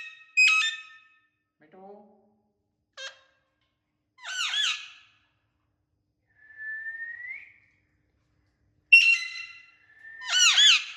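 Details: Indian ringneck parakeet making natural sounds in quiet surroundings: separate bursts of harsh, screechy, wavering squawks, a few short clicks and low notes, and one clean rising whistle, with silent gaps between.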